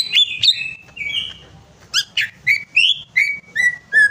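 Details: Greater green leafbird song played to prompt a bird to sing: opening loud chirps and slurred whistles, then a run of about seven clear, bright notes, each rising or falling, spaced roughly every third of a second.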